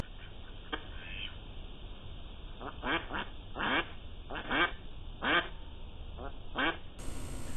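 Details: Domestic ducks about six months old at a pond give loud, raspy quacks, singly or in quick pairs, about one a second, quacking to stand their ground against a stalking fox until he leaves; a steady electrical hum runs beneath.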